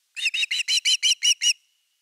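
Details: On a Finnish live nest camera at nest #3, 30 August 2021, evening fish: an osprey gives eight bright, whistled, slightly upslurred chirps packed into about one and a half seconds.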